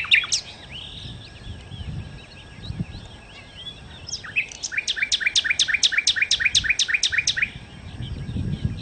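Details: Nightingale, called sikatan londo, singing vigorously: varied scratchy and whistled phrases, then a loud rhythmic trill of about twenty sharp, evenly repeated notes, each sweeping from high to mid pitch, with faint low background rumble.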